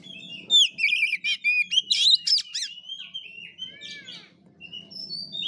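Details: Fighting-style 'ngeplay tarung' song of an oriental magpie-robin (kacer), 'gaya kura kura': quick string of bright trills and sharp sweeping notes, then quieter drawn-out whistles, with faint low background noise.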